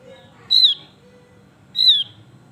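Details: Two loud, pure whistles from a male Javan grey-throated white-eye, each gliding slightly downward, just over a second apart, after a faint lower whistle at the start.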